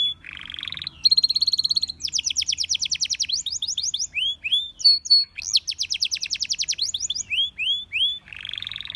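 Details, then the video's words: A canary delivers a bright, rapid song. A short buzzy phrase leads into a shimmering high trill, then fast descending chip series and upward-curving whistled notes, closing on a buzzy roll. "Canary Singing Bird Sounds"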